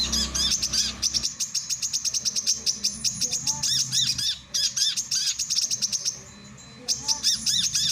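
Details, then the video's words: Male brown-throated sunbird, used for training and luring other birds, gives shrill, clipped chirps in quick series, broken by two short pauses, with sharp rising-falling notes mixed in. "SUARA BURUNG KOLIBRI KELAPA JANTAN"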